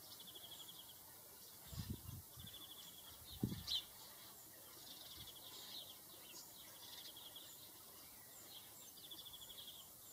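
House sparrow chirping softly and steadily, short high notes repeated in quick runs, with a couple of low thumps and steady background noise.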